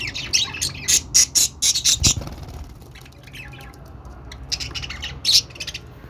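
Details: Budgerigar sounds: a fast stream of loud scratchy chirps for two seconds, then quieter twittering, and another short flurry of harsh squeaks near five seconds.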